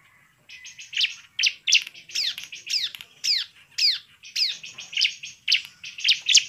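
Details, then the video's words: Vigorous bar-winged prinia song used to goad rival birds into singing: high, sharp notes, several sweeping downward, delivered in an uneven string of about two per second. "suara pancingan CIBLEK GACOR biar ngamuk dan ngotot"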